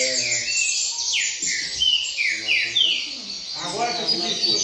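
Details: Brown-plumaged double-collared seedeater singing steadily in a seedeater singing contest circle: a run of high, descending slurred notes in quick succession, with men talking in the background toward the end.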